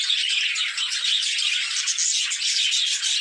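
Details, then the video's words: Several budgies during play time, producing a steady wall of bright, scratchy warbles and quick chirps layered over one another without a break. "Budgies Birds Masti time || বদ্রি পাখির খেলার সময়"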